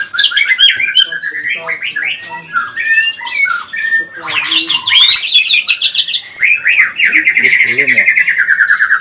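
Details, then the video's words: White-rumped shama of the pastol type, a lure recording meant to provoke other shamas into singing and agitation: loud, rich, rapidly varied song of whistled phrases, sweeping slurs, trills and harsh notes, ending in a long, dense, buzzy warbled run. "Murai batu pastol cepat bunyi gacor emosi"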